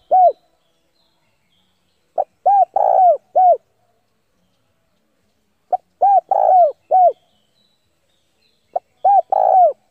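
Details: A spotted dove used as a decoy, calling rivals to come and fight, repeats its four-part cooing phrase three times at roughly three-second intervals, each with a long drawn coo in the middle, otherwise quiet.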